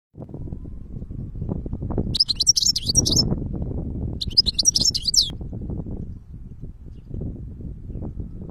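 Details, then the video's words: European goldfinch singing in nature: two short bursts of high, tinkling twittered phrases, each about a second long, over steady low rumbling background noise. "Goldfinch singing in nature (الحسون في الطبيعة )"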